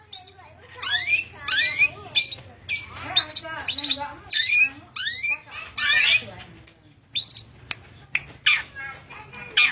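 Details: Persistent Long-tailed shrike song made of loud, harsh, squawky bursts and rising slurred notes in quick groups about every half second, with one brief silent gap midway and a faint low hum behind.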